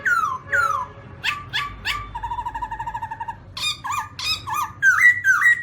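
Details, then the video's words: Black-throated laughingthrush sounds off with descending whistled slurs, a quick sequence of sharp notes, a steady chattering trill, then upslurred whistles closing with ringing level notes. "Black-throated laughingthrush (Garrulax chinensis): Funny Sounds And Funny Dances"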